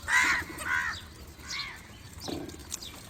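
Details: Crow calling other crows: three hoarse, nasal caws in quick succession, then a lower rough squawk, with small birds chirping faintly behind.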